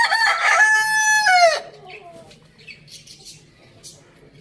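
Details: Rooster in a farm village crowing: one loud, harmonic-rich crow lasting about one and a half seconds, held steady then sliding down at the end, followed by quiet with faint distant chirps.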